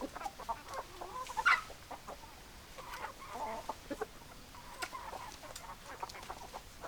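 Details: Domestic chickens clucking softly in short, scattered bursts, with a brief louder squawk near the start, over steady low background hiss.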